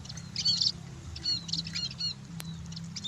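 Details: Munia calls: thin, high chirps and short squeaky notes in scattered bursts, with a low steady hum underneath.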